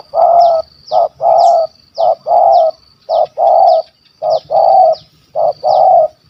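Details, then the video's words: Spotted dove, a wild stuttering-voiced caller with a big voice, targeted on a dove-hunting outing in Malaysia, gives low, hoarse coos in short-long pairs and trios, repeating steadily about once a second, while a thin descending chirp from another bird recurs above. "Bl Gagap Suara Besar Kuk 1 2"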